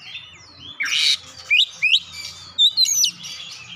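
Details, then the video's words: Oriental magpie-robin with gelatik batu mimicry, a brief sequence: a harsh rasping burst followed by a few separate sharp whistled upslurs and a high squeaky note, over a soft low background hum. "kicauan Kacer isian gelatik batu"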